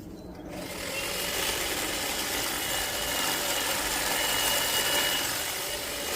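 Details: Loud, continuous whirring power-tool or motor noise fills the whole recording, steady and hissy with a faint high whine.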